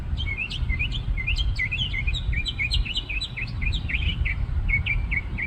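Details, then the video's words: Perched bird in a parking-lot tree singing a lively, varied song of quick upslurred and downslurred chirps, delivered in rapid succession with shifting pitch, accompanied by a constant low traffic rumble. "Bird Singing Its Little Heart Away"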